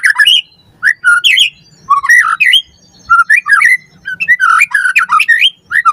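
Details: Lure recording of a white-rumped shama singing, meant to train captive birds: loud whistled phrases that rise and fall in short bursts, broken by brief silences, mixing rich warbles with sharp high accents.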